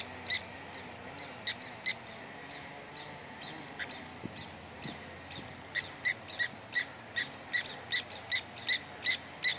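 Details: Upset blacksmith lapwing (kiewit) alarming beside its nest and baby chick found by a walker: hard, ringing 'tink' notes, sparse at first, then speeding into a steady rapid series, over low background rumble.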